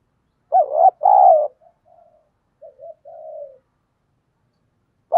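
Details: Lure spotted dove, 'thổ' style, calling to draw wild birds: two strong, low coos in quick succession, followed by softer trailing coo notes that fade out, then silence.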